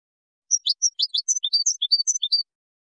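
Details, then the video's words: Moroccan European goldfinch singing a Widani-style song composition, 2019: about two seconds of quick, bright twittered notes alternating high and lower pitches, evenly spaced, against silence. "الحسون المراكشي الأصيلي تركيبة ويدانية"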